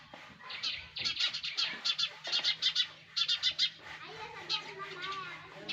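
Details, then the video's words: Baby sparrows calling from their nest: dense runs of sharp, high chirps, followed by softer, lower, wavering notes toward the end. "Sparrows baby in nest! | Sparrows Sound Effect"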